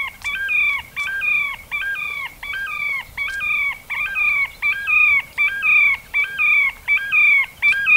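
Terek Sandpiper giving clear, ringing whistled notes with a stepped, yodelling shape, repeated steadily about every 0.7 seconds, eleven or so in a row.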